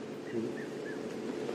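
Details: Red-chested cuckoo on a rainy morning sunrise drive near Buffelshoek Dam, giving three faint, slightly falling whistled notes in quick succession, the 'piet-my-vrou' phrase (Afrikaans, "Peter my wife"), over a murmur of low background noise.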